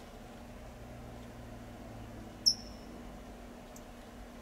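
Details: A lone bright, high "tsip" chip from a California towhee in Del Monte Forest, California, sounding once midway through amid soft background hiss.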